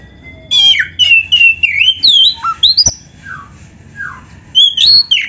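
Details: Oriental magpie-robin, a song used to train caged songbirds: clear whistled notes sliding down and up, separated by short gaps, plus one sharp click.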